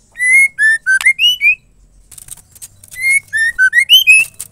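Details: Female white-rumped shama voice used to spur males to sing: two renditions of a ringing whistled phrase, falling then climbing to a high slurred finish, separated by a moment of soft rustling and faint clicks.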